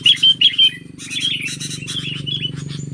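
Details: Sooty-headed bulbul facing a stubborn wild bulbul: three loud, bright whistled chirps, then a busier stream of chattering, warbled notes, over a steady low humming drone.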